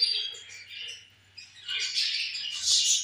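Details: Pet budgerigars feeding together; a sharp chirp opens a spell of warbled twittering that dips quiet mid-way, then swells into loud, buzzy chatter.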